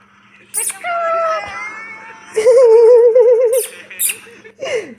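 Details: Pet ringneck parrot talking like a human with its owner: a long steady whistled tone, then a quavering, warbled whistle, clicks and short squeaky notes, over a steady low hum.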